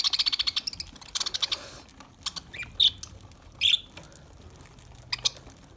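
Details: Lovebirds eating green food; a fast run of evenly spaced sharp chirps opens, followed by a second run, then two louder harsh squawk notes and scattered clicks.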